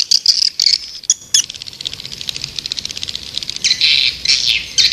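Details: White-nest swiftlet calling sound meant to attract swiftlets: loud high chirp bursts at the start and end, with a run of quieter rapid ticking twitters between them.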